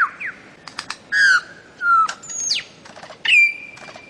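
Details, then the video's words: Bird-of-paradise mixes sliding whistles, brief harsh squawks and stuttering clicks, with a high rising sweep and a long level whistle near the end. "KICAU MASTER BURUNG CENDRAWASIH"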